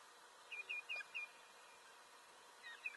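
An osprey gives four quick, high whistled notes, each slightly falling, in about a second, then one more after a pause. A faint steady background hiss.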